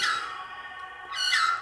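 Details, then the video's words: A magpie out front on 2 March 2021, around 15:11, gives two buzzy, harmonic, electronic-sounding notes, the second brighter and wavering; the recordist says it has changed its call and is not the normal magpie call. "electronic magpie"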